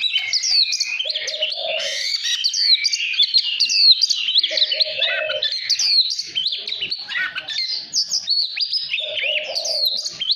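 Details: Oriental magpie-robin singing to stir other birds: non-stop rich, varied whistles, trills and sharp slurred notes, high and fast, with low mellow notes recurring roughly every four seconds.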